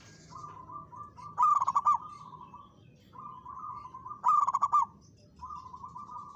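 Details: Local zebra dove singing actively while challenging a rival: soft pulsed cooing trills alternate with two loud bursts of rapid, strongly pulsed coos roughly three seconds apart.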